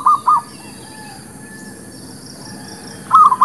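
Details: Zebra dove lure song for trapping: a pair of short cooing notes at the start, a long quiet gap, then another brief burst of rolling notes at the end.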